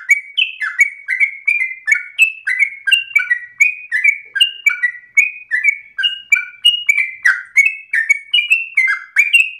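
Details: Yellow-vented bulbul singing a loud, persistent, long-breathed song meant for other birds to copy; rapid run of clear whistled notes about three per second, each dropping or stepping between two pitches, continuing without pause.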